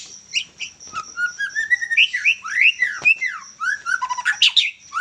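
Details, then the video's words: Song of a young Medan white-rumped shama just out of juvenile plumage: varied clear whistles, rising and falling slurs and swoops, closing with sharp high chips and a few clicks. "Murai batu medan lepas trotol ... Gacor juara"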